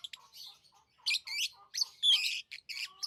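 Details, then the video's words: Chirping from tame pet lovebirds: loud, harsh, high chirps in uneven bursts, with some softer, lower tonal notes woven in between. No other clear sounds. "Love birds Sounds | lovebirds chirping sounds"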